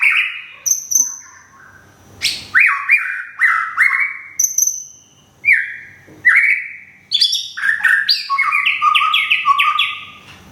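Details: White-rumped shama from Thung Song, Thailand, newly moved and regrowing feathers, singing a series of loud whistled phrases with short high notes and slurred dips, spaced by pauses, ending in a rapid stepped run of notes.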